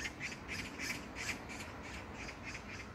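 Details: Magpie in an Incheon park, Gyeyang-gu, South Korea, on 19 June 2022, giving a softer, slightly distant string of rasping notes, roughly eight in quick succession, against faint low background noise.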